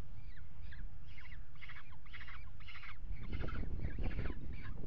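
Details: Peregrine falcon pair mating on a nest-box ledge at the Axel water tower, Netherlands, February 2018. About eight grating, rasping calls follow in a steady series. Rumbling wind-like noise swells during the last two seconds.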